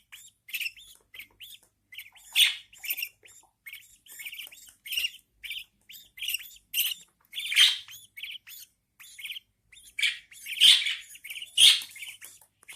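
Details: Newborn budgerigar chicks being fed by their mother, kept in captivity; a long stream of quick, hooked cheeps repeated several times a second, broken by louder rasping squeals every second or two.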